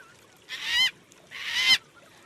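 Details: Two drawn-out, harsh wailing calls of yellow-tailed black cockatoo, a social Australian cockatoo using this peculiar call to keep contact; each call lasts about a third of a second, with a short pause between.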